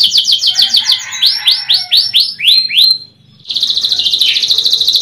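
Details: Lure recording of a young canary in song: quick chirped notes give way to a series of rising whistled sweeps, a short silence, then a dense high buzzing trill.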